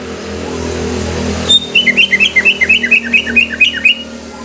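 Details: Greater green leafbird pouring out a fast chain of paired, bouncing whistles, about a dozen notes in two seconds, above a rumbling background hum.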